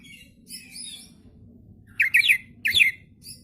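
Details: Oriental magpie-robin singing energetically as a lure to prompt other magpie-robins to answer: faint high twittering early on, then two loud, sharp whistled and buzzy phrases close together, over a low background hum.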